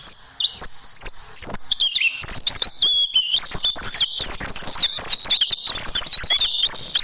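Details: Tutoring song of a white-eye for training caged birds, with 'tembakan' bursts: fast, high-pitched warbling twitter of rising and falling whistled slurs mixed with clicks, unbroken throughout.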